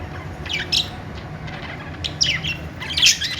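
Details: Budgerigars making happy sounds: short scratchy chirps and squawks in scattered bursts, with quiet gaps and a low background hum.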